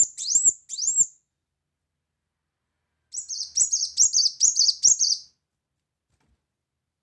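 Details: Brown-throated sunbird singing loud 'tembakan' bursts: two high upslurred whistles, a pause, then a fast run of five or six sharp rising notes in quick succession.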